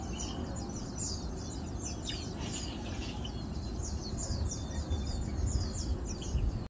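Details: Chestnut munias feeding, recorded 7 August 2022, give a steady stream of thin, high, quick chirps, several birds overlapping, over a heavy low rumble of wind or distant traffic.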